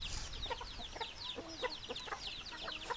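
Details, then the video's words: Flock of hens clucking together, with many overlapping short chattering notes and dense high scratchy calls filling the background. "Chicken Sounds Noises Hens Clucking Roosters Crowing"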